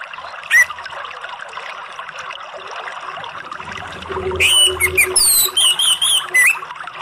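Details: An orange-headed thrush sings a relaxed song: a quick run of varied whistled phrases, bright, high and jumbled, after one early note, over a steady background hiss.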